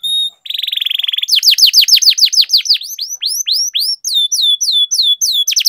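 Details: Loud canary song used as a prompt to start other canaries singing: a brief whistle, a smooth buzzy roll, then a long run of rapid swooping down-slurred and upturned notes.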